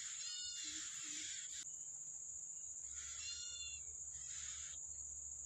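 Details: Yellow-bellied prinia tending its young in the wild: rich, stacked nasal notes mixed into harsh buzzy bursts, given in two bouts with a pause between, over a constant high-pitched insect hum.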